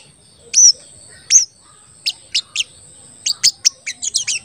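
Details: Crested jay call used as a lure to make other crested jays call and get worked up: two high slurred whistles, then a run of sharp, clipped chirps quickening toward the end.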